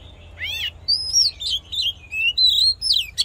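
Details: Oriental magpie-robin fighting song meant to rouse males and train the voice: rich, varied whistled phrases opening with sweeping upslurred notes, then quick runs of clear warbles and trills in short bursts with brief gaps, over a faint low hum.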